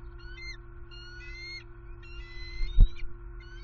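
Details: Bald eagle chicks in a Southwest Florida nest, 6 February 2021, hungry after more than a day without food, one chick attacking the other: repeated high, thin, slightly rising piping calls in short series, one loud thump, and a constant low hum.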